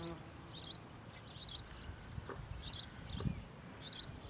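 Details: Juvenile common kestrel, one of this year's young out of a barn breeding box and down on the ground, on a farm in the early morning, calling for attention: repeated shrill high calls in short bursts roughly every second, over low rural background rumble.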